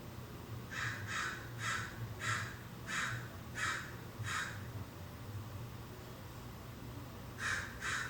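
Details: American crow (Corvus brachyrhynchos) in a California backyard, recorded from indoors: a run of seven harsh, hoarse caws about every half second, a pause, then two more, over a low steady hum.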